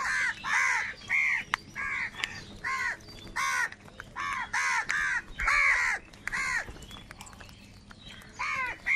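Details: Crows in a big flock fighting for food: a steady series of harsh, rasping caws, about one every three-quarters of a second, each short and nasal, with fainter birds calling behind.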